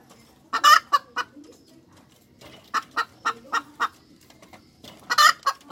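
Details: ['Hen cackle with a loud raspy squawk and quick clucks, then a run of five evenly spaced sharp clucks, ending in another loud stretched squawk with trailing notes.']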